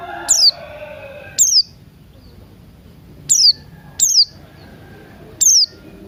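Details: Morning song of Buxton's white-eye mixed with cucak rante, used to prompt birds to sing: five sharp high falling notes at irregular intervals, preceded by a brief lower warble.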